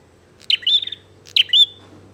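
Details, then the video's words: Bar-winged prinia calling actively as a challenge to fight: two short, sharp high chirps about a second apart, each a quick rising note running into a buzzy trill, over a faint steady low hum. "SUARA BURUNG PRENJAK GACOR NGAJAK TARUNG"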